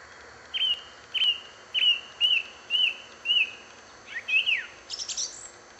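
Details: Song thrush song: one clear whistled note repeated six times at about half-second intervals, then a fast twisting phrase and a high thin trill at the end, over quiet background hiss.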